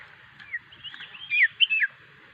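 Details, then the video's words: Common iora, a lively singing bird kept for use as a lure, giving a few short sliding whistles that rise and then fall over about a second, over a low background hum. "burung cipew gacor.. cocok untuk pemikat"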